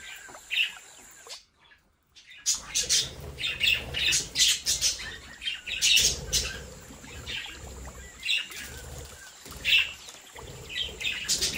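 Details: Budgerigars in a home breeding aviary chatter in dense, sharp high chirps and brief squawks after a short quiet gap, with wing flutters and a constant high-pitched hum behind.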